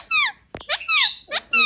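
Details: Pet Indian ringneck parakeets, said to be molting, kept indoors in a small room; short high squeaky notes with bright harmonic, down-sweeping tones in three bursts, with a sharp click between, and a woman's voice nearby.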